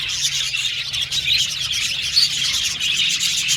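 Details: Brief stretch of contented budgerigar chatter: overlapping high twitters and thin whistled notes, steady and busy with a faint low hum beneath.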